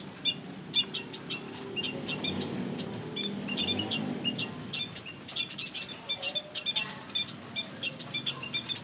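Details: Rapid high-pitched peeping and chirping from white-headed munias used as a lure, many thin notes tumbling together; a brief low rustling murmur swells in the middle.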